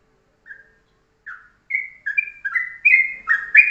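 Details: Morning ropelan master song of a Yellow-vented bulbul, short and dense, for tutoring birds: spaced whistled notes that speed up into a tight run of bright, slurred phrases rising and falling.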